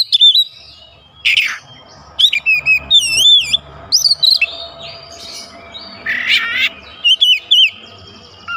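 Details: Oriental magpie-robin singing mimicked fill phrases alongside other birds of its kind: varied, loud, wavering whistles and harsh chirp clusters in irregular bursts, with a faint steady hum underneath.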